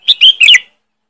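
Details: Single quick bubbly phrase of three bright, sharp chirped notes from a sooty-headed bulbul, a loud lure call, over in under a second.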